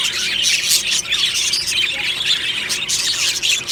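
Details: Budgerigars in an aviary colony in the morning, described as happy, singing and chirping: a dense, continuous mass of scratchy warbling and squawky chirps from many birds at once, with no pauses.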